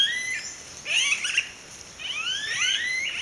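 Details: Smooth-billed ani calls: overlapping rising, whining whistled slurs in two bursts, with a pause between them, over a constant high-pitched background hiss.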